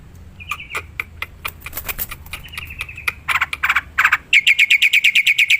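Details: Black-winged myna song from the wild, used to lure birds: clicks and short whistles, two loud harsh bursts, then a fast regular train of sharp, ringing notes.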